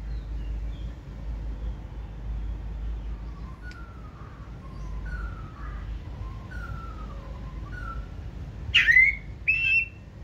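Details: White-rumped shama from the 2024 season, a bird offered for sale, singing 'forest voice' song while running along the perch with tail raised. Soft, repeated falling whistles lead to two loud, sharp phrases near the end over a low hum.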